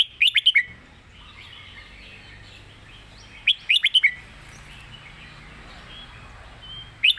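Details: Competition red-whiskered bulbul, a cage bird, delivering its master song: short rapid phrases of four or five clear whistled notes, repeated about every three and a half seconds over a steady low hiss.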